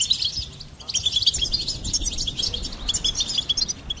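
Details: Continuous, bright twittering song of a goldfinch: quick, high, jangling notes run together with little pause, over a soft low hum.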